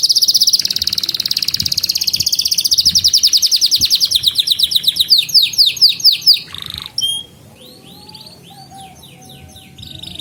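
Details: Lure song for stalled and young canaries: a long pulsing metallic trill that speeds into rolling repeated notes, a brief buzzy burst, then softer, quieter sweeping chirps.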